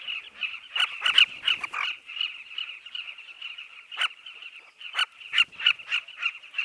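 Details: Southern carmine bee-eaters at a breeding colony in a dry riverbank: bursts of loud, harsh chirps from nearby birds, clustered early and again after four seconds, set against the colony's continuous chattering background.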